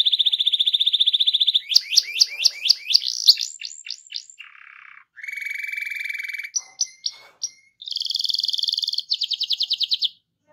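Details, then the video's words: Canary in full rolling 'gacor ngerol' song used as a master to stimulate other canaries: a buzzy steady trill, then down-slurred repeated notes, a lower buzzy phrase and several varied tours separated by short pauses. "RANSANG BURUNG KENARI CEPAT BUNYI GACOR DENGAN SUARA KENARI GACOR NGEROL INI!"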